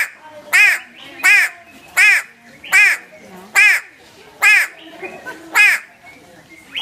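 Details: Habarticay, the grey go-away-bird, in Somali wildlife: a series of eight loud, nasal, croaking calls delivered at a steady pace about every 0.7 seconds, each harsh and rich in overtones, with faint background noise between.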